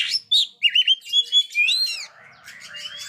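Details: Kacer (Oriental magpie-robin) singing to prompt young birds that are still silent: quick whistled phrases, loud at first, then easing into a soft warble.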